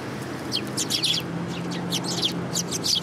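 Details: City sparrows coming to be fed on 30 November 2015. Busy, overlapping high chirps and short tweets from several birds run through the whole recording, with a low steady hum underneath.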